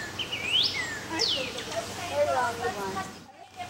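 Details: A male northern cardinal sings two loud slurred whistles, one sweeping up and one sweeping down, over soft background voices.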